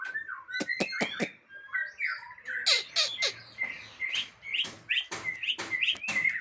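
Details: White-rumped shama, Aceh variety, captive-bred, opening with a burst of sharp dry clicks and ticks, then switching to bright whistled notes and short slurred phrases repeated at an even pace.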